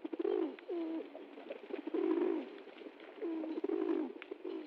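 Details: Pigeons being fed in the jungle give low, throaty cooing phrases, each swelling then sliding downward, repeated in bursts roughly every second amid soft rustling and pecking noises.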